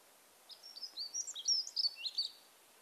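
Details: A dunnock gives a thin, scratchy, high warble lasting about two seconds, its notes wobbling quickly up and down within a narrow pitch band with long pauses, over faint background hiss; a dawn chorus example in Ireland, May.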